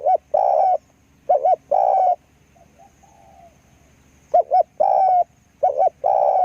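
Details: Spotted dove, a decoy bird used for luring wild doves, cooing: paired short hoots then a long, slightly rising coo, the phrase given three times with pauses, over a low rumbling background.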